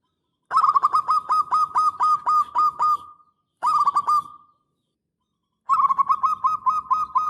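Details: Zebra Dove of local stock calling loudly as a lure to draw a reply. Three bursts of fast, rolling coo notes each end in a held tone, separated by brief pauses.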